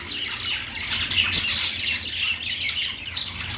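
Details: Budgies chattering on a perch: a short burst of warbled chirps and squeaky notes, a few louder sharp peeps standing out above the flock's steady chatter.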